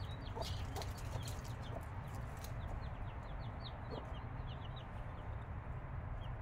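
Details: Several five-day-old chicks with the mother hen peep in quick, high, falling notes, densest in the second half, against a loud steady low-pitched hum.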